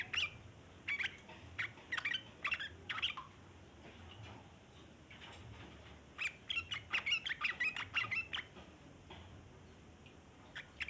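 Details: Yellow-vented bulbul chattering at length, played as a lure for wild bulbuls: two bursts of quick, scratchy, bright chirps separated by a few seconds of quiet, the second burst denser.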